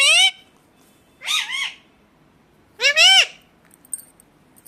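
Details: Indian ringneck parakeet giving three harsh, ringing squawks, each a rising-then-falling arc rich in overtones, separated by about a second of quiet.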